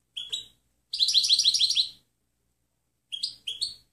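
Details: European goldfinch recorded for training other birds: a lone chirp, then a one-second run of fast liquid twittering, followed by silence and a few paired rising call notes.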